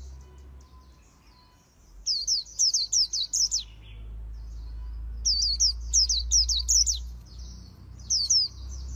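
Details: Oriental white-eye, a voice-trained bird in Vietnam, giving the very fast 'líu đấu' contest song in a magpie-robin-like style: two bursts of rapid, high, sharply slurred whistled notes separated by a quiet pause, over a low steady hum.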